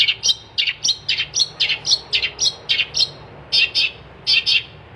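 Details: Long-tailed shrike in gacor song, giving rapid pairs of high, slurred chirps that dip in pitch, steadily repeated, then spaced doublets near the end.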